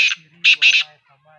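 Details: Partridge (teetar) calling: one short harsh, grating burst, then after a pause two louder rasping squawks in quick succession, all fairly high-pitched and noisy, with a faint low hum in the background.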